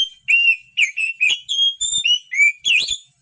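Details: Oriental magpie-robin whistled song meant to rouse a lazy bird: an unbroken string of rich, varied whistles, some level, some dipping, roughly three notes per second.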